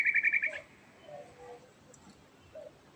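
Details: Yellow-vented bulbul, known locally as trucukan, gives a short rolling burst of quick repeated notes at the start. It fades into faint low whistles and background hiss.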